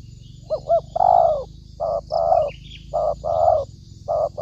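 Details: Spotted dove lure call for trapping: low cooing phrases of short and long notes repeated about once a second, over a constant low humming background and a faint high chirp.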